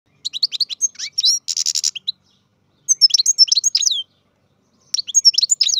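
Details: Captive-bred European goldfinch singing: bursts of bright, high twittering and tinkling notes with a short buzzy rattle, delivered in three phrases separated by brief silences.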